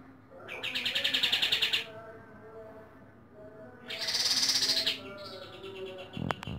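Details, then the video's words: Pied triller (kapas tembak) singing its rapid 'tembakan' burst at dawn: two loud, fast buzzy trills at high pitch, each about one to one and a half seconds, separated by a quieter pause with faint lower notes. "Tembakan KaTem di Subuh hari"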